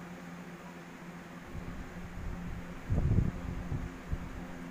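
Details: Steady indoor fan hum with low rustling and a brief thumping burst midway.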